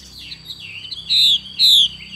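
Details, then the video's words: Female Chinese hwamei giving its 'xùy' call: two loud, sharp downslurred whistled notes about half a second apart, each sliding from high to lower pitch, after softer wavering chatter. A steady high electronic tone runs throughout. "Họa mi mái xùy cực đỉnh"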